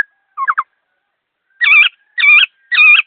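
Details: Fast, clear laughingthrush song: a quick triple chirp, a pause, then three loud, buzzy, harmonic-rich notes roughly every half second against silence.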